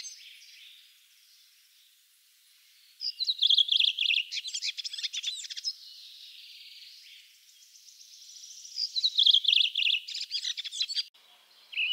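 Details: Redwing (Turdus iliacus), one of the birds of Russia ranked among the best songbirds, sings two phrases a few seconds apart. Each opens briefly and clearly, then falls into a fast, high, scratchy twittering chatter.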